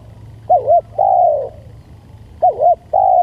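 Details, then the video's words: Spotted dove lure sound: two complete phrases, each a quick double arched note followed by a long, smooth, slightly falling coo, clear against a low, quiet background. "Panciingan Tekukur"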